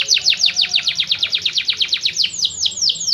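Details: Canary song: a fast, even trill of high descending sweeps, about eight per second, slowing into broader, more spaced slurred notes near the end, over a faint low hum.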